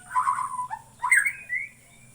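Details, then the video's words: Bornean white-rumped shama utters two short, buzzy whistled phrases, the second sliding upward into a thin drawn-out note. "Burung murai Borneo"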